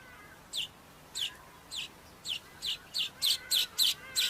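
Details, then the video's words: A Cape weaver gives about ten short, buzzy, high notes that drop in pitch, starting half a second apart and speeding up into a quick chatter. "El Tejedor de El Cabo"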